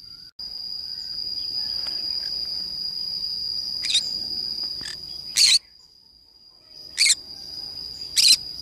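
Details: A series of short, harsh broadband squawks at irregular intervals from a green-cheeked conure playing alone in a forest, some faint and some loud, with a constant high-pitched whine beneath.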